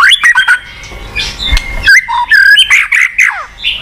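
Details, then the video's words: Kept white-rumped shama song for stimulating a bird that will not sing: bright twisting whistles, a brief quieter gap with a thump, then varied slurred and level whistled phrases with some harsher notes. "PANCINGAN BUAT MURAI MACET | WHITE RUMPED SHAMA SONG"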